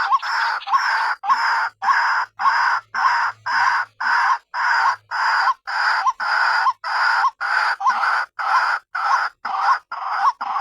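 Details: White-breasted waterhen (ruak-ruak) call used as a lure to draw other waterhens in: loud nasal, harsh notes repeated steadily about twice a second in a long unbroken series.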